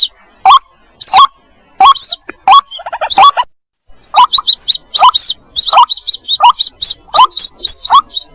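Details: White-breasted waterhen chick calling its parent, in a lure recording: sharp, squeaky chirps repeated irregularly, roughly one to two a second, with a brief pause midway.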